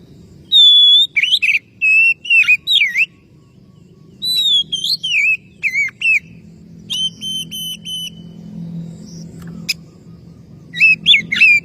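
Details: Oriental magpie-robin calling a rival: a long series of varied whistled and slurred notes, some sharp and chopped, including a run of short repeated steady notes, over a low rumbling background.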